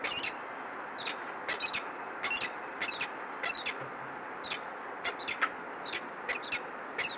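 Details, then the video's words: Peregrine falcon at PKiN in Warsaw, recorded 13 March 2015 at 11:33; short sharp high calls repeated roughly every half second to a second throughout, fairly faint over a steady background hiss and a constant high tone. "Peregrine Falcon PKiN Warszawa"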